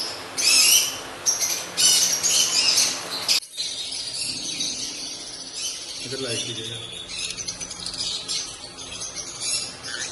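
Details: Male and female lutino African lovebirds giving happy sounds: bright, rapid high-pitched chirping bursts for a few seconds, then softer, scattered twittering with a faint low rumble beneath.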